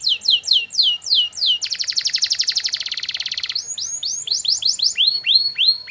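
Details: Canary singing a long training song for other canaries to reply to: rapid repeated downward-sweeping notes, a sustained buzzy rattle in the middle, then more looping whistled sweeps, all high-pitched.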